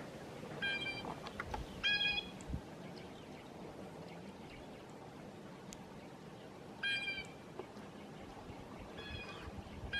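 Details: Blue jays give loud, harsh, nasal calls in short bursts, about four in ten seconds, over a steady hiss and the faint high peeping of a flock of grosbeaks eating seeds in maple trees.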